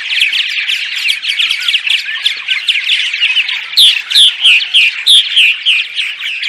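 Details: Dawn song of purple martins, used before dawn to attract them to nest sites. A dense twittering chorus, then a run of loud, clear, rising-and-falling chirps repeated about three times a second.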